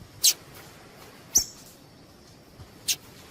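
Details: ['Female double-collared seedeater piping, used to get males singing: three crisp, very high chips about a second apart, with a faint low hum behind.']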